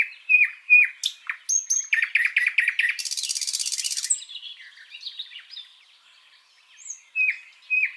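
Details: Backyard birds in Washington State sing a mix of down-slurred whistles and quick chirp series. A harsh buzzing trill runs about a second, followed by soft twitters and two more slurred whistles.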